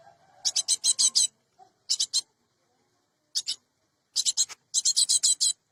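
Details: Lure recording of a cinereous tit for bird trapping: quick series of rasping, chattering high notes in groups of two to six, broken by brief pauses.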